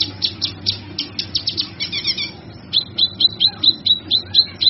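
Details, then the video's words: Cucak kinoi song that opens with quick high chirps, turns to a brief twittering run, then ends with a regular series of clear, slightly downslurred whistled notes. "Suara Burung cucak kinoi"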